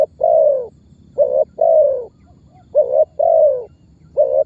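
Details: Spotted dove calling in the 'memanggil' and 'menekan' styles, used as a lure to set other birds calling and to draw target birds toward trappers; low, mellow coos in paired units, a brief clipped note then a longer, slightly falling coo, three times.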